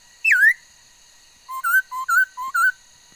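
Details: Female laughingthrush song, 13 August 2021, from a bird known for many kinds of sounds: one loud downslurred whistle, then a steady alternating series of six short low and higher whistled notes.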